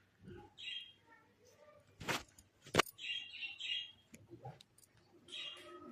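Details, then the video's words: A cockatiel singing with a companion warbles in short whistled phrases around mid-high pitch, broken by two sharp clicks or bumps and some low indoor noise. "Cockatiel Singing with Cute Friend"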